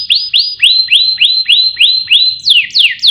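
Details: Canary song used to stimulate other songbirds: evenly spaced rising whistled notes, roughly three per second, then a few sharply falling sweeps at the close.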